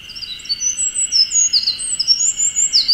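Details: Eurasian wren singing from the top of a dead tree in Okuchichibu, Japan: rapid high-pitched string of sharp whistled notes and trills, ringing and hurried, over a steady high insect-like hum in the background.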